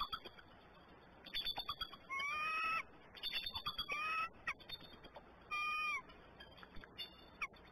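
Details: Bald eagles (Haliaeetus leucocephalus) at the Decorah nest on 27 April 2018, on alert as a young eagle flies over the mother in the nest, give thin high chattering whistles in three bursts of rising then level squeals, with faint chirps around.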